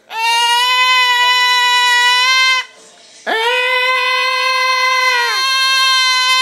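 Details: Pet cockatoo indoors, squawking as its owners walk into the house: two long, loud, steady screeching calls, the first about two and a half seconds, a short quiet gap, then a second drawn-out squawk that falls away at the end.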